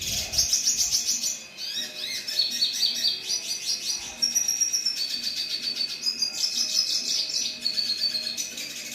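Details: Red siskin singing: a continuous high twittering stream of quick chirps, trills and short whistled notes, with a steady faint tone underneath throughout.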